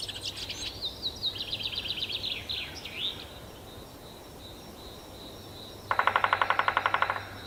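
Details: In a Yekaterinburg forest park on 25 May 2018, a male three-toed woodpecker drums on trees in warm weather; a songbird's high, descending trilled phrase comes first, then a quick drum roll of about a dozen sharp knocks near the end.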